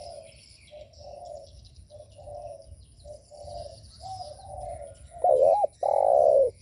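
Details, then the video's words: Spotted dove calling to provoke other doves: a run of faint, muffled coos, then a loud closing phrase with a quick wavering note and a long, even coo. "Chim cu gáy gù mở lên kích bổi cực hay | Tiếng chim cu gáy mp4 kich bổi | suara burung terkukur"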